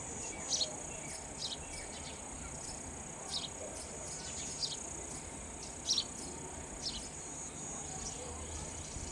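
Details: Nestling sparrows receiving raw insects from an adult: bright, high chirps dropping in pitch, irregularly spaced and occasionally doubled, with a steady shrill background tone throughout.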